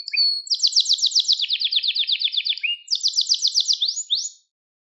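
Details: Training song of a canary, kızıştırma style: loud, fast rolling trills high in pitch, a brief drop lower, then two quick rising sweeps before silence.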